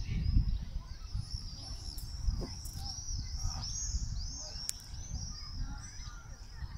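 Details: Common swifts calling over an old town on a July 2017 summer evening at 8 pm; thin, distant high screams arc again and again above a heavy low hum of town noise.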